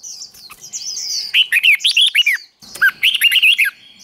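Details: Red-whiskered bulbul contest song (hót đấu) for training: two loud phrases of cheerful, warbling, slurred whistles, separated by a brief pause, over soft high chatter.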